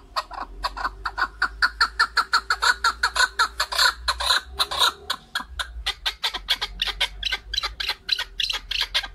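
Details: Male chukar partridge (keklik) calling: a long, loud series of harsh, clucking chuck notes, about two per second, speeding and crowding together in the middle, then continuing in uneven bursts.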